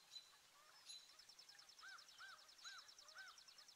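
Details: Garden birds at feeders in New Jersey, northeast USA, on 5 April 2024, the day of a 4.8 magnitude earthquake, partly cloudy and 36 to 50°F. A fast, high buzzy trill runs under four repeated mid-pitched arched whistled notes about half a second apart.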